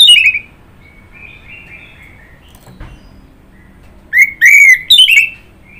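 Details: Orange-headed thrush delivering a whistled phrase, then soft drawn-out notes, then a loud cluster of rich, slurred whistles with a faint click between.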